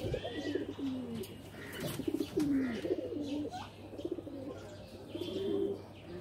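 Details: Loft pigeons give throaty, wavering coos, some sliding downward, layered into a busy chorus, with brief wing claps and a background hum.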